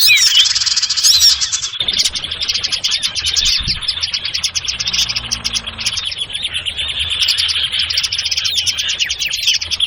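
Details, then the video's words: Sirtu birds in a noisy lure recording used to attract birds for trapping: a dense, busy chorus of high, rapid chirps and twitters with no pauses, overlapping throughout. "Suara PIKAT burung Sirtu anti gagal"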